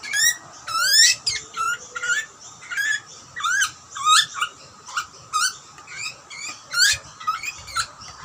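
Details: Wild Australian butcherbird chick screaming for food while being fed by its parents; harsh rising harmonic squeals in bursts roughly every half second to second, with a faint steady high hiss behind.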